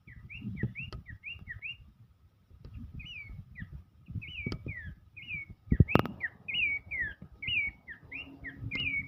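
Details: Dancing Horsfield's babbler sings steady bursts of short looping whistled notes, quieter at first and then louder, with a sharp clatter near the middle and low background noise throughout.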